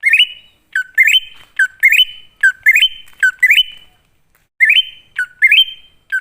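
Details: Greater green leafbird song used as a lure to call wild birds. Loud, clear whistled phrases rise in steps and end in a long level whistle, repeated almost every second, with one brief pause.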